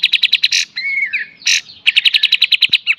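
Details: Kapas tembak, full beset and tembak style as a master for cage songbirds: fast clipped repeated notes, a wavering whistle, a loud burst, then another rapid even series of sharp notes.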